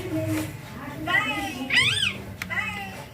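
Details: Baby green Indian ringneck parakeet, playing and feeding, gives a couple of arched, harmonic squawks and short rising-falling notes, interleaved with low human speech in the room.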